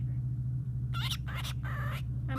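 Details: Pet cockatiel named Sunshine talks in short, raspy, speech-like bursts over a steady low electrical hum. It is known to say "pretty bird", "hi baby" and "birdie birdie", and its owner coaxes it nearby.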